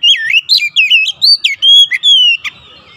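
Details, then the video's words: Oriental magpie-robin song used to provoke other magpie-robins into singing, loud and clear, a quick series of varied whistled notes with swooping slurs and a longer steady whistle near the end. "PANCINGAN KACER langsung gacor ngotot"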